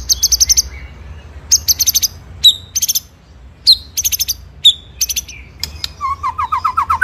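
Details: Murai batu, the white-rumped shama, sings a full ngerol nembak masteran: short high rattling trill bursts alternate with sharp whistled notes, ending in a quicker series of lower repeated chirps.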